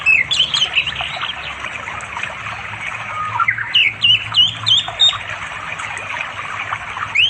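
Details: Wild orange-headed thrush calling a female to mate in the afternoon by a forest river in East Java, phone recording; quick, varied whistled notes bending up and down in short bursts, with constant rushing water beneath.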